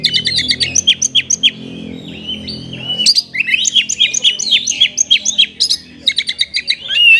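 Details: Caged Oriental magpie-robin delivering a rich fill-in song, used as a trigger for sluggish birds. Quick runs of sharp repeated notes and buzzy whistles pour out almost without pause, briefly overlaid by a low background hum.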